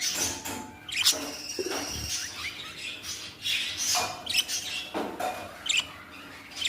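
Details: Baby budgies chirping and chattering in a room, a mix of bright high tweets and short rasping squeaks coming in clusters, over a faint constant indoor hum.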